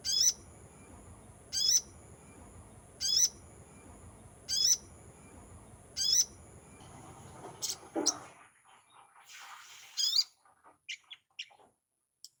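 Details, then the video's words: Sunbird call played as a lure for wild birds: a series of thin, high-pitched chirps with a rising flick, evenly spaced about one and a half seconds apart over a constant high hum, then rustling handling noises and silence. "suara pikat burung kolibri / sogon"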